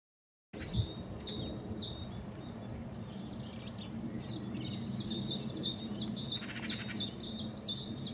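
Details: Common chiffchaff singing at Saltersford Locks, Cheshire, England, on 31 March 2014: a long series of sharp, high, descending chip notes repeated rapidly, with a brief rattling buzz in the middle and a steady low rumble underneath.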